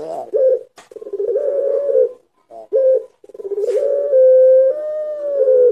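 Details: Long-voiced pelung Barbary dove cooing as a training lure: short clipped coos and rolling pulsed phrases lead into a clear, sustained, steady note held over a second, then a slight drop at the end.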